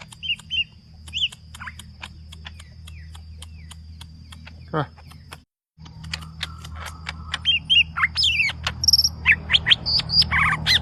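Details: Green leafbird in aggressive song: a few soft chirps and scattered clicks over a steady low hum, a brief silent gap, then a livelier burst of whistled slurs and sharp notes toward the end.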